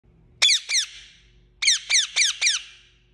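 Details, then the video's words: Parrot calling: two sharp, high squeaky notes with harmonic overtones, a pause, then four more in quick succession, each a brief descending squeak, in an otherwise quiet setting. "Parrot Calling Sound"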